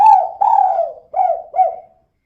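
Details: Female spotted dove, a persistent caller in the kuk-2 style, used as a lure to make other birds sing: one phrase of four hoarse coos, two longer falling notes followed by two short clipped ones.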